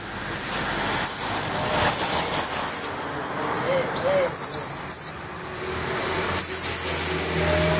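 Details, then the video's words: White-eye known as pleci dakun ngalas, singing loudly with open beak; rapid bursts of high, whistled downslurs come in three clusters, each several notes long, with soft background noise between. "Burung pleci dakun ngalas ngerol buka paruh volume semelit"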